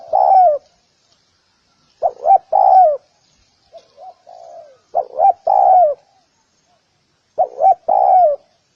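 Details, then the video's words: Four throaty spotted dove phrases, each of short hooted notes running into a longer falling coo, separated by pauses with a few quiet, softer coos between them in an otherwise silent setting. "សម្លេងសត្វលលក យំលឺច្បាស់ល្អណាស់"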